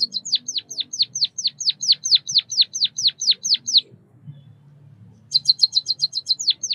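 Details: Bondol kaji, the white-headed munia (Lonchura maja): a long run of high, falling chirps at a steady quick pace, a short quiet gap, then a burst of rapid twittering chirps ending in a falling note.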